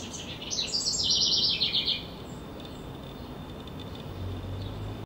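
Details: A house wren, likely one of a returning breeding pair, gives a rapid, bubbling song of chattering notes tumbling downward over about a second and a half, in late April while preparing a nest box; then quiet background with faint low hum.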